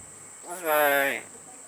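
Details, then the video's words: Talking hill myna at Lok Kawi Wildlife Park, Kota Kinabalu, saying a single short, voice-like word, rich and slightly rising, under a second long, over a steady high insect-like hiss. "Talking Hill Myna"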